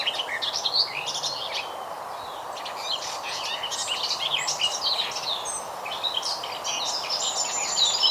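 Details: One garden warbler delivering a long, unbroken conversational warble: jumbled, rapid, varied notes, some squeaky and some fluty, pouring out without clear pauses over more than eight seconds, with constant broadband background hiss.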